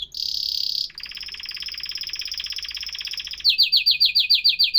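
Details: Canary: a shrill sustained note, then a fast buzzing trill held for over two seconds, ending in loud clipped descending syllables repeated rapidly.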